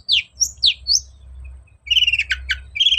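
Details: Long-tailed shrike singing to lure a quiet bird into answering: four clear downslurred and upslurred whistles, then a rapid buzzy rattling chatter with trilled notes.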